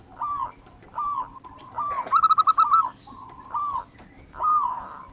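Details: Zebra dove (perkutut), local natural type, singing actively. Gentle, slightly bent coos repeat about once a second, broken midway by a quick run of clipped, rattling notes.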